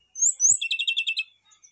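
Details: Rufous-chested flycatcher song meant to prompt singing: two thin high whistles, then a quick string of about seven identical buzzy notes repeated evenly, ending in faint high chirps.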